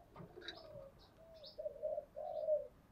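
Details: Spotted dove calls played as a trapping lure, part of a full set of driving, cooing, crowing and calling songs; soft low hooted coos in a short run after an opening flutter of quieter notes, with faint high chirps above.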